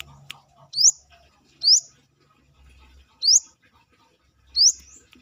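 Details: Brown-throated sunbird calling freely outside the cage, used as a tutor voice for training songbirds: four sharp, high rising whistled slurs spaced about a second apart, with a faint low hum underneath.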